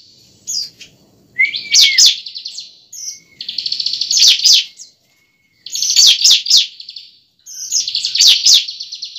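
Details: Fighting song of a bar-winged prinia, played to prompt a young bird to start singing: long high buzzy trills broken by loud sharp chips, four phrases with brief silences, plus one thin sliding whistle.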